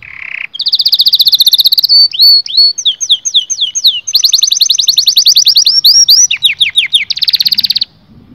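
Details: Canary singing to stimulate mating in males and females. It gives a buzzy low note, then a long high trill, spaced rising slurred notes, a dense rapid roll and a final steady tour, all clean and loud.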